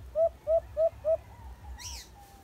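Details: Alimokon or white-eared brown dove in a cage trap giving four evenly spaced, slightly upslurred hooting notes, followed by a softer wavering note and a brief high chirp from another bird, over low background rumble.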